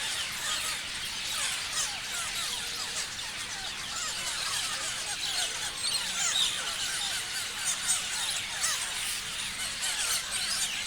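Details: Parrots in a large group keep up a constant chirping din, countless rapid high squeaks and twitters overlapping into a busy, even wall of sound.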